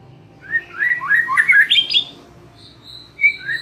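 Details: White-rumped shama lure song for young and wild-caught birds, to get them singing openly: a burst of tumbling rising whistles climbing to a high note, followed by softer, thin high whistles after a pause.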